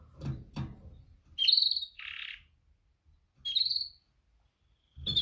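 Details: Female canary calling males in a mating call: two strong chirping phrases, each a high whistled note falling into a short buzzy burst, separated by quiet, with soft knocks before them.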